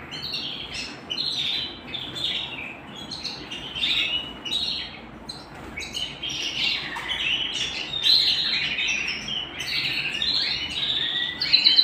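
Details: Canary singing at home, delivering irregular high chirps and warbling phrases that run continuously, growing louder toward the end.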